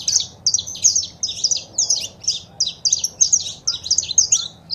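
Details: Saffron finch female calls mixed with male singing, meant to stimulate a caged bird to sing: high chirpy double notes repeated quickly in a steady series over faint low background hum.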